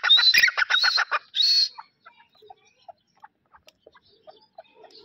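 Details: Grey francolin, described as a Dakhni pair. Loud, harsh, ringing notes come in a quick rhythmic burst, then a longer drawn note. They fade after about two seconds into faint scattered clicks and soft background sounds.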